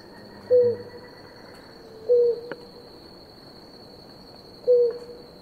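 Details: Drinking pair of blue ground doves; three brief low hollow coos at irregular intervals of about one and a half to two and a half seconds, with a steady high-pitched hum and a faint click.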